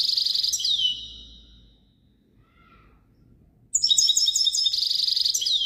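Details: European goldfinch delivering a bright twittering burst that fades out, a near-silent gap, then another lively phrase of rapid, jingling trills.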